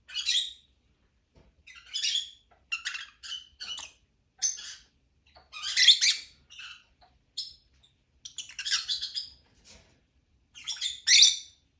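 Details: Lovebird chirping in scattered clusters of scratchy high notes, irregular bursts with short pauses, some louder squeaky peaks among quieter chatter.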